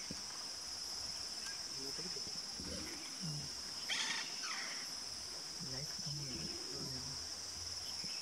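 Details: Green imperial pigeon (Ducula aenea) in Gorumara National Park, Jalpaiguri, West Bengal, India, January 2018, giving deep, throaty croaking coos in two short bursts of several notes each, over a steady high insect drone.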